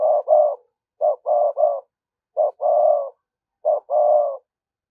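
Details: Lure spotted dove delivering thúc gù coos meant to attract wild doves: four repeated phrases, each a short clipped coo followed by a longer, rolling low coo, spaced about every second and a half.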